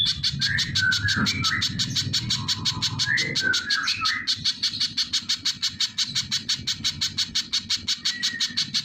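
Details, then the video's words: Little spiderhunter delivering quick, shrill chip notes in a steady series, with fluty whistles from another bird and low background noise during the first half. "Burung pijantung pisang GACOR | suara asli tajam dahsyat"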